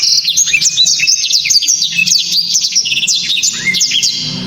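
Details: Blacktrod (black-throated canary) song, described as loud, sharp, very clear and dense: fast sequence of high whistled notes and quick up-and-down slurs, continuous throughout, with a faint low hum underneath.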